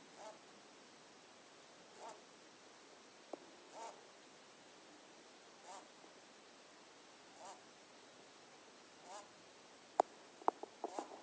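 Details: A young pet cockatiel, male, makes soft, breathy snoring hisses about every two seconds while sleeping, something he does every time he goes to sleep.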